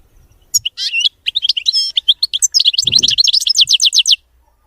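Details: Caged European goldfinch performing a clean song without mistakes: varied sharp chirps and warbled phrases give way to a fast even series of bright ringing twitters, with a brief low rustle midway.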